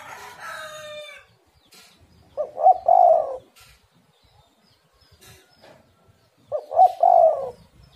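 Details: Lure recording of a spotted dove: two loud cooing phrases about four seconds apart, each with clipped opening notes and a throaty, rolling final coo. A rooster crows softly at the start.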